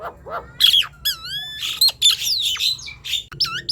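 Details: Energetic Nias hill myna song meant to coax quiet birds to sing: clear falling and rising whistled notes alternating with harsh, squawky bursts, loud and closely spaced, with a faint low hum underneath.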